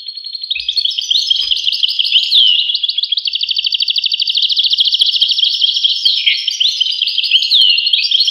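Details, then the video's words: European goldfinch singing a continuous, fast, liquid twittering song of tinkling trills and buzzy slurred notes, run together without pause throughout. "voice carduelis- Tweets the birds. Tones a bird Goldfinch. voice goldfinch-"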